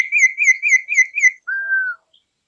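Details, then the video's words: Campo troupial, an imported bird: five quick wavering whistled notes in an even series, followed by one long steady lower whistle, then silence. "suara burung import campo troupial"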